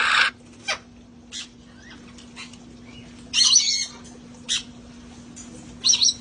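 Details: Parrots from a rescued flock playing outside before the cold weather, giving short harsh squawks in separate bursts, with a steady low hum in the background.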